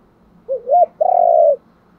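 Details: Spotted dove coo used as a luring call: a short low note, a slightly higher arched note, then one sustained, mellow, slightly wavering coo lasting about half a second, in a quiet setting.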